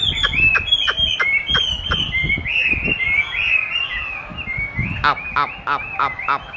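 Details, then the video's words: Chinese hwamei in training, its own song played back to it, which it eagerly challenges; loud whistled phrases sliding and wavering in mid-high pitch, mixed with sharp clicking notes that grow dense toward the end. "Dùng đúng giọng hót của nó để luyện hót cho nó(công nhận nó rất thích đấu với chính giọng của mình)"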